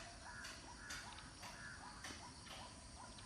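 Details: Lesser whistling duck family group giving brief whistled notes at an irregular pace, mixed with sharp clicking knocks and constant rural background hiss.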